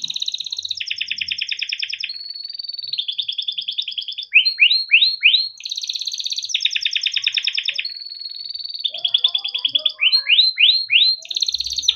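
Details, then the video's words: Yellow canary, kept by its owner, singing a long continuous gacor song used as masteran tutoring for young birds. Buzzy rolled trills alternate with steady whistled notes and a run of five sharp descending chirps, repeated twice in sequence. "burung kenari gacor PANJANG untuk pancingan kenari paud || masteran kenari - yellow canary singing"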